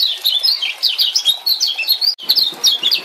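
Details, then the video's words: Lemon-bellied white-eye male, Lombok bird, with the 'ciak ciak' calls played to coax a quiet male into song: a dense, continuous stream of high, thin chirps and twitters with a brief break midway. "Kecial Kuning Speed Gila Gacor Tarung"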